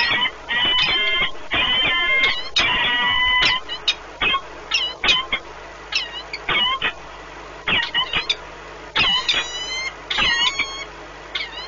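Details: Peregrine falcon pair at the Orlen Płock nest in Poland, 1 March 2019, meeting and bonding; bursts of harmonic wailing calls alternate with sharp clicks and scraping at the nest, then quieter chattering notes.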